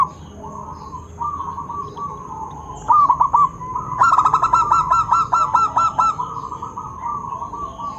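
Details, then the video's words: Zebra dove (perkutut) calling to provoke other doves into answering: soft low cooing at first, then a short burst of bubbly notes and a longer run of rapid, evenly spaced rolling coos before fading back to quiet cooing. "Suara perkutut Bikin EMOSI perkutut lain naik Suara Langsung Nyaut"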